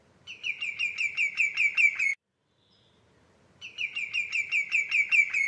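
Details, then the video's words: Common greenshank calling in two quick bursts of ringing notes, each a steady run of about eight sharp whistles, separated by a pause of around one and a half seconds. "صوت الطيطوي اخضر الساقGreen shank sound _call"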